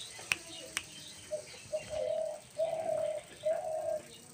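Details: Dove giving three or four soft, low, drawn-out coos against a noisy background, with two sharp clicks near the start.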